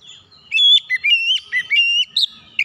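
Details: Oriental magpie-robin singing a lure phrase meant to set other birds singing: a continuous run of bright, clear whistles that rise, dip and level off, with short breaks between notes.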